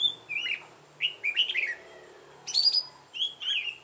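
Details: Red-whiskered bulbul lure bird with a mountain-forest voice, singing to provoke fighting song: scattered short whistled phrases with falling slurs, separated by gaps of quiet, one louder bright burst near the middle.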